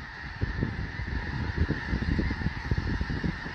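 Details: Overlapping honking from a large snow goose flock settling for the night on Fir Island, Washington, forming a constant chattering din, with soft low wind rumbles pulsing beneath throughout.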